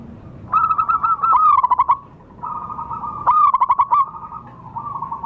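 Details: Wild local zebra dove recorded as a lure call: two bursts of clear cooing near one pitch, each a drawn-out note breaking into quick staccato pulses, with a softer trailing coo at the end and low background rumble.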